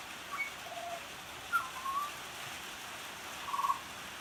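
A butcherbird sings a few mellow, fluted whistles, including a gliding upslurred note and a brief warbled phrase, over the steady hiss of falling rain.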